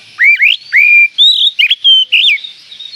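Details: Oriental magpie-robin in full song, used as a lure to rouse a kept magpie-robin: a fast, continuous string of clear rising and level whistles and quick warbled notes, loud and unbroken over three seconds.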